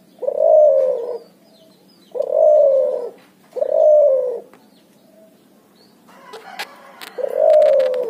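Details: Hybrid puter × tekukur dove, known as cuhu, giving repeated ngoar-nguku coos: four low, husky, gently falling notes spaced about two seconds apart, with a brief clattering noise before the last.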